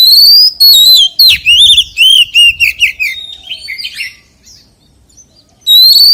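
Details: White-rumped shama singing in the wild-voice style: a loud, rich run of clear whistled notes that slide and loop downward, delivered in quick bursts, then a pause of about a second before a high whistle begins again.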